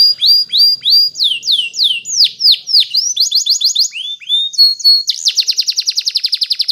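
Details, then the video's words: Spanish Timbrado canary singing in the morning, a song used for training canaries: a run of steep downward-sweeping whistles, then faster buzzy trilled phrases, ending in a rapid even series of short notes. "Canary TIMBRADO Singing In The morning"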